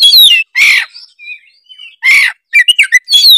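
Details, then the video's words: Oriental magpie-robin giving a gacor song phrase: loud harsh buzzy rasps alternating with thin whistled slurs and a quick series of short sweet notes. "denger suara kacer gacor satu ini"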